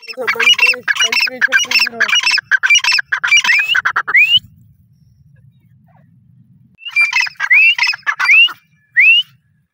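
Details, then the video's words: Partridge (teetar) calling in fast harsh squawking phrases with a low-pitched accompanying note, then a pause with low hum, followed by several rising whistled notes. "teetar awaz /teetar ki awaz/ teetar voice /teetar sounds"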